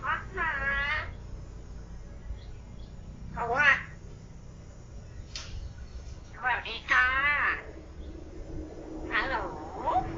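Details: A pet common hill myna under a year old talks in short speech-like Thai phrases such as greetings, several wavering syllables with pauses between, over a low room hum.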